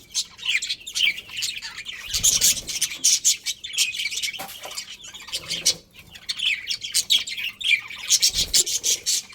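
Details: Budgerigars, a breeding pair, keep up continuous bright chattering chirps and warbles, busy and overlapping throughout, with a couple of brief low thumps.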